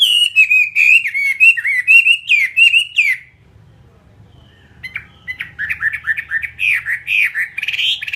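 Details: Captive fighting-type Chinese hwamei singing loud, rich whistled phrases that slide and warble, repeated rapidly for three seconds. A quiet pause with faint low hum follows, then the bird resumes with looser rising and falling notes.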